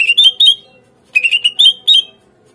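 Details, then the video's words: Greater green leafbird song for luring untrained captive birds into responding and singing: two bursts of clear, slightly rising whistled notes, each phrase of three to five notes, separated by a one-second pause. "PANCINGAN SUARA CUCAK IJO | AGAR CUCAK IJO BAHAN MAU NGERESPON DAN GACOR"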